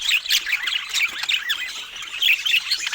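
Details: Several pet budgerigars eating fruit, giving a steady stream of overlapping chirps: short warbling notes, rising and falling squeaks and harsh squawks, many birds calling at once without a break.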